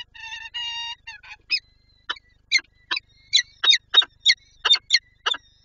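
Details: Peregrine falcon female in Lublin, Poland, on 23 April 2024, wanting to feed her chicks: a few drawn-out wailing notes, then a rapid run of short harsh chattering calls repeated several times a second.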